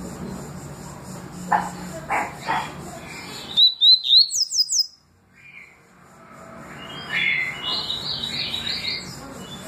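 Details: Double-collared seedeater song, tui tui and deputado styles: a burst of rising whistles with buzzy upper notes, preceded by some soft clicks and followed by quieter twittering phrases over steady background hiss.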